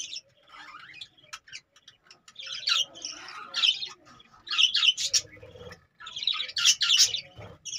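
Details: Budgerigars kept in cages make quick high chirps and grating warbled phrases that build in loudness, with brief pauses and faint low knocking.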